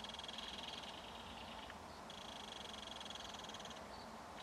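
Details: At a nest burrow in a mud bank, belted kingfisher adult and baby keep in contact while feeding: two extended buzzy, pulsed chatters with a brief higher note between, steady background hum underneath.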